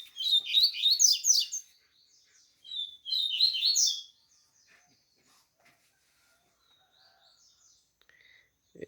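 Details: Captive Double-collared Seedeater, one of two males just out of molt and starting to sing well: two rapid bursts of high, scratchy twittering notes with quick sliding chirps, then quiet with faint distant chirps and a soft thump at the end.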